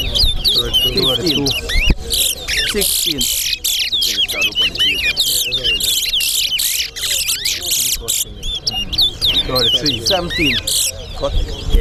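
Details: Chestnut-bellied seed finches (towa towa) in a singing race between two birds at Sheriff Street bird ground: rapid, overlapping high whistled phrases, rising and falling, sung almost without pause, over constant human speech and crowd murmur.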